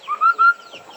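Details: White-browed laughingthrush singing to call other birds: two loud, clear whistled notes, the second slightly longer and steady in pitch, followed by softer trailing chirps.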